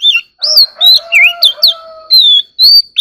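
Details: Oriental magpie-robin singing in a duel: loud whistled notes and swooping slurs, joined mid-phrase by a steady low hum, then more sustained high whistles.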